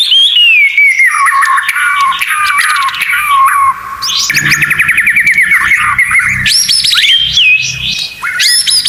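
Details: Murai batu tutor song with full 'tembakan' fillers: descending whistled runs, then a dense rapid chattering trill, followed by sharp upswept whistles and steady held notes.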